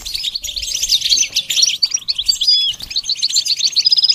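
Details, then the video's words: High, rapid goldfinch song of mixed chirps, squeaky slurs and a short buzzy roll, ending in a clear sustained whistle, recorded to teach goldfinches to sing. "training the goldfinch to sing"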